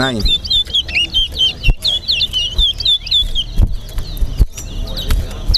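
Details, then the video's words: Caged large-billed seed-finch, or towa towa, sings in a bird race at Linden, Guyana. Rapid, warbled whistles loop up and down, repeated quickly and almost without pause, over low crowd noise and occasional knocks. "TOWA TOWA BIRD RACE AT LINDEN"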